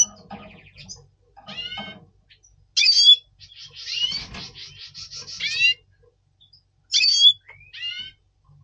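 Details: Double pastel red siskin singing before breeding, November 2023, a caged bird in breeding mood: short chirps, then a long, even, buzzy trill after a sharp call, and two more clipped metallic calls near the end.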